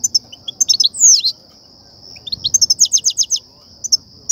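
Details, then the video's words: European goldfinch in batbata and satsata song, played to excite and attract goldfinches into trapping nets: bright chirps, one long falling slur, then a fast rhythmic run of tinkling notes. "افضل بتبتة وستستة لتهييج و صيد الحسون"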